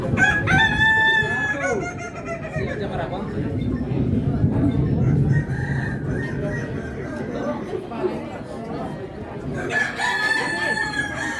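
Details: Kukuak Balenggek rooster, an endemic chicken breed from Solok, West Sumatra, Indonesia, crowing at a crowing contest: a long harmonic crow opens the clip and another begins near the end, over a steady murmur of crowd noise and voices.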